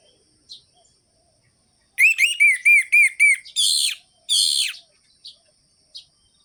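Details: An orange-headed thrush used as a singing lure delivers a quick run of about seven short arched whistles, then two harsh buzzy notes, with scattered faint chips before and after.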